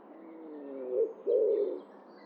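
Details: A wild common wood pigeon (Columba palumbus) gives two deep, husky cooing notes, the first drawn out and the second a short muffled phrase, against a quiet background.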